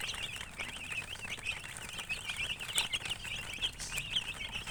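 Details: A brood of baby chickens chirping: rapid wavering high peeps overlapping without pause, bright and thin, with soft scratching and tapping noises beneath.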